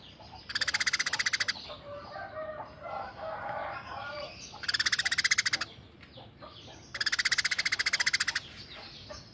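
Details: Tame, highly vocal Eurasian tree sparrow delivering rough rapid-fire bursts. Three separate rattling runs of quick, harsh notes, each about a second long, are divided by softer, jumbled chattering.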